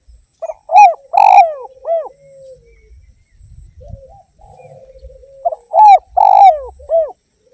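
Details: Lively derkuku, the spotted dove, repeating its cooing phrase twice: short soft notes leading into three strong hooting coos that rise and fall, the centre note drawn out, with quiet low murmurs between phrases.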